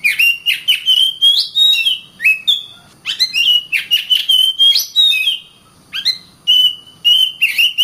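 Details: Oriental magpie-robin (kacer) giving a lively song of steady whistled notes broken by sharp clicks and buzzy accents, in several phrases with short pauses.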